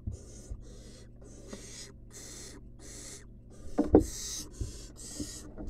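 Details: Wild barn owl chick begging in its nest box while being fed a rat. A series of raspy hissing calls, with a loud scuffle and bumps midway.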